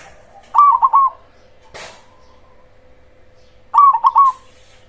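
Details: Zebra dove of the cemani strain with a big voice, used as a lure to make rivals answer: two quick, trilling coo phrases a few seconds apart, with one sharp click between them over a steady hum.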